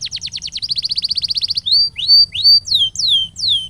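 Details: Canary training song: a fast trill of clipped high notes, then a string of loud, drawn-out whistles, the first few rising and the last ones sliding down, each separated by short gaps.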